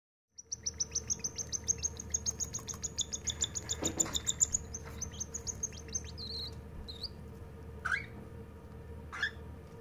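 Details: The littlest cockatiel chick gives a rapid run of high, rasping chirps, begging while being fed.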